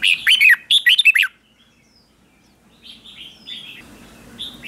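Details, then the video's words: Red-whiskered bulbul lure song for calling in other bulbuls: two loud back-to-back phrases of quick, downward-swooping whistles, then quieter answering whistled notes further off. "Tiếng chào mào mồi gọi là đến, Chào mào mồi gọi bổi không tạp âm"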